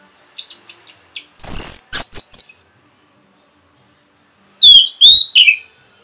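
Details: Orange-headed thrush rapid song meant to excite other birds: a few soft high ticks lead into a harsh, loud rush of notes, then silence, then three clear whistles sliding downward.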